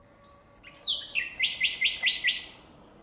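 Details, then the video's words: Common nightingale in nature sings a high whistle followed by a rapid, evenly spaced string of sharp, clicking notes, about eight in quick succession, then fades into quiet. "شاهد تغريد طائر العندليب فالطبيعة"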